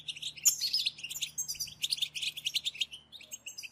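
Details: European goldfinches in a collective stimulation recording for a caged goldfinch: an unbroken stream of high, tinkling chirps and trilled buzzy phrases rising and falling in loudness, over a steady faint low hum.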